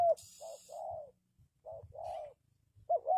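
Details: Spotted dove cooing to lure wild doves for trapping: low, arched coo notes in a steady phrase, some short and some drawn out, with a faint high hiss and low background rumble.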